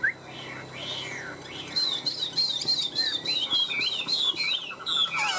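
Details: Tame caged Chinese hwamei, one of a pair kept three years, in a singing contest: soft scattered whistles give way to loud, rapid looping warbles and twisting trills that run to the end.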